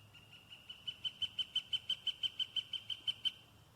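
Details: Wild pileated woodpecker heard on a late-June afternoon at Cathedral Point overlooking Trout Lake in a northern Wisconsin state forest: a long series of about sixteen sharp, evenly spaced notes that grow louder, then break off abruptly.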